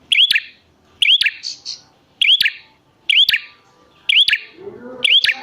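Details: Prinia call, used as a lure so that wild prinias answer back: loud, sharp chirping bursts, each a quick rising note followed by a buzzy trill, repeated about once a second with brief silences between. Another faint chirp sounds near the end.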